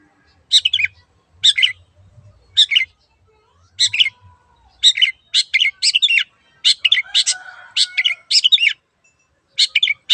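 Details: Long-tailed shrike in full 'gacor' song meant to draw other birds into singing: short harsh chattering notes repeated at first every second, then quickening into a dense run of scratchy phrases.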